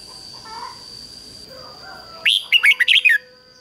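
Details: Decoy red-whiskered bulbul singing to call in wild birds for a fight: after two quiet seconds, one loud burst of five or six quick, liquid warbled notes sliding up and down, under a thin steady high tone.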